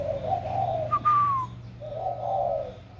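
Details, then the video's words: Captive spotted dove with a newly developed warm voice, recorded 16 February 2020: a low, soft hooting coo, then a brighter descending whistled note near mid-clip, and another low coo follows. "Cu gáy mới nổi giọng ẤM"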